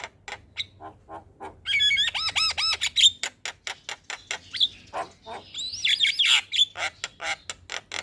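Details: Javan myna in lively morning song, meant as a tutor and lure: scattered clicks, then a loud run of looping rising-and-falling whistles, followed by mixed squawks, clicks and high whistled notes.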